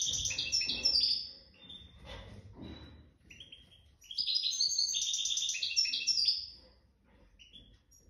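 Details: Goldfinch, nest-raised and of the jadr al-salaka line, giving widani-style song: bright fast twitters and liquid trills in two long phrases over a low indoor rumble and background noise.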